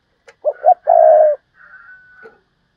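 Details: Decoy spotted dove calling 'thúc bổi' style: a quick pair of short hoots then a sustained low coo, followed by a thin steady higher whistle-like tone.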